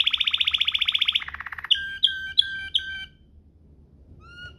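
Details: Waterslager-style canary rolling song, used as a tutor recording for canaries: a fast, even trill of rapid pulses, then a lower, slower roll, then several bright, clear whistled notes, ending with faint soft whistles after a pause.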